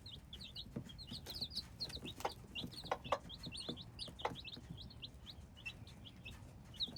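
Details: Hybrid chicks calling nonstop, dense chorus of thin high cheeps in quick succession, mixed with frequent crisp pecking-like clicks.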